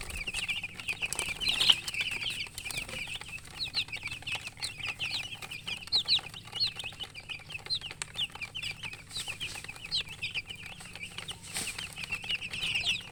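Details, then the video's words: Newly hatched domestic chicks in a sustained loud peeping chorus, countless short high chirps overlapping without pause, with occasional soft knocks in the background. "Tot Murgi chicks chirping sounds Just Born Baby Gallina FRACAS Chicks Piar Loudly Sound"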